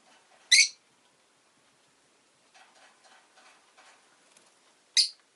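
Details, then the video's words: Two shrill, brief chirps from a rosy-faced lovebird, about four and a half seconds apart, with soft rustling chatter in the quiet gap. "Lovebird Chirping Sounds"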